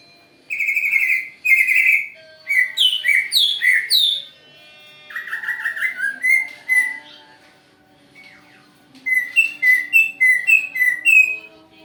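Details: Greater green leafbird song used as a lure to provoke a response: clear whistled phrases and rapid chattering notes in bursts, some slurred rising and falling, separated by short pauses, with a faint low hum beneath.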